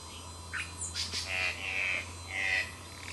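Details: Magpie tanager (Cissops leveriana), recorded 12 July 2008, giving a few harsh, buzzy notes, some drawn out, with brief sharper chips between them; a low steady hum runs underneath.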